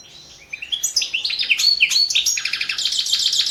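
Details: European goldfinch championship recording: after a brief hush, fast liquid twittering with rising slurred notes, building into a run of rapid, evenly spaced chirps over about three seconds.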